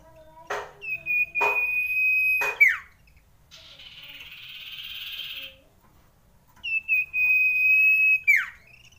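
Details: Common iora long drawn song for raising breeding urge: sharp clicks, then a sustained level whistle of about two seconds ending in a quick downward slur, a soft buzzy passage, and a second identical long whistle.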